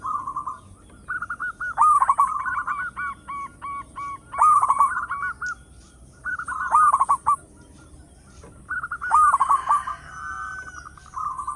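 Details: Local zebra dove singing loudly, a recording meant as a lure for other doves: bubbling trilled coos near one pitch, with louder stuttering bursts about every two and a half seconds and a rhythmic ticking between phrases.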